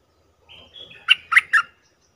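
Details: Lure call of a bulbul for wild birds: a thin, drawn-out whistle opens the clip. It is followed by three strong, rich chirps in quick succession, each a throaty warble. Quiet background throughout.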